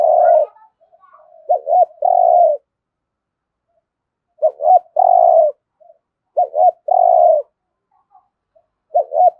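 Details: Spotted dove giving its fast driving coo phrases: short clipped notes followed by a longer rolling coo, repeated about every two seconds in a clean, quiet recording.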